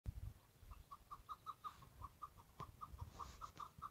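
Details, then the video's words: Wild chukar partridge calling: a steady series of short, clipped mid-pitched notes, about five per second, running through the whole stretch over a low rumbling background with occasional clicks. "Keklik sesi"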